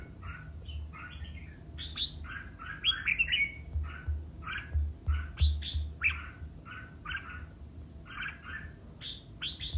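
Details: Red-whiskered bulbul singing competitively: lively bursts of short chirpy, warbled phrases rising and falling, given in rapid succession with brief pauses, over a steady low hum.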